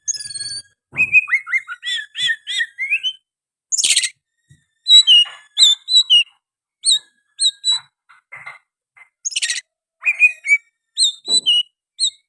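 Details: Oriental magpie-robin song containing sooty-headed bulbul phrases: whistled upslurred notes, then high thin repeated chirps in spaced bursts, with two brief harsh noisy blasts.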